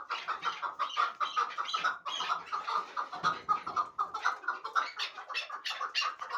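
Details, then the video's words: Clucking calls from a hybrid partridge raised for fighting and hunting: rough chuck notes delivered in uneven bursts of rapid repeats, about two per second overall, with brief pauses between runs and a quiet background. "Кабки Гибрид"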